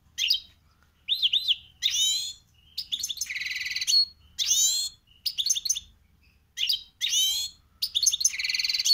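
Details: Caged goldfinch × canary hybrid (mixto), singing phrases it copied when young; bursts of bright chirps, rising and falling whistles and buzzy trills, separated by short pauses.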